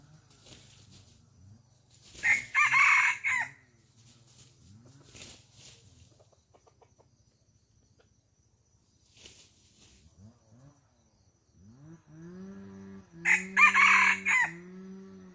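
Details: Farm chickens: two loud, raspy crowing bursts several seconds apart, with quiet clucks and low rising notes between them and a steady, low-pitched murmuring call near the end.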